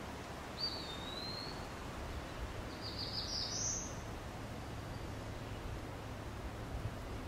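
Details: A first-of-year Eastern Wood-Pewee at Beech Hill Preserve, Rockport, Maine, in the morning, gives the last two notes of its song, high thin slurred whistles about two seconds apart, the second rising; black-throated blue warbler and scarlet tanager in background.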